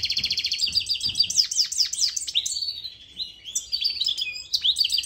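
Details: Goldfinch mule song used for tutoring young birds: quick twittering chirps and repeated falling slurs give way to a drawn-out steady whistled note, followed by more bright twittering phrases.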